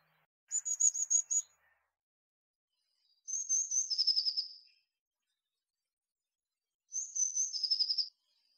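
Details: Tit repeating a high phrase three times, each a rapid pulsed trill of sharp notes that steps down in pitch at the end, with pauses of about two seconds between phrases.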